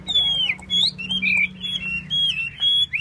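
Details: Chinese hwamei spreading and dancing its tail, giving clear whistled phrases, some long and falling, others short and rising, with brief pauses between them and a low hum underneath.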